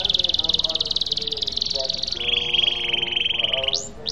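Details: Canary song used as a lure to get silent or stalled canaries singing and rolling again: a long, fast, high rolled trill that drops slightly in pitch midway, ending in two quick upward sweeps.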